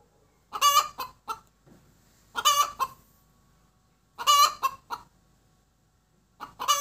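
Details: A hen's post-laying cackle, loud rasping clucks in four tight clusters, each opening with a strong harsh note followed by shorter clucks, spaced roughly two seconds apart against a quiet background.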